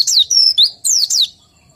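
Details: Few high whistled notes from a white-eye not in full breeding condition, sliding down then up in pitch, followed by silence.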